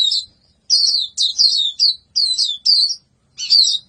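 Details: Gacor-style white-eye singing, a rapid sequence of high, sliding, twittery phrases with short breaks between them.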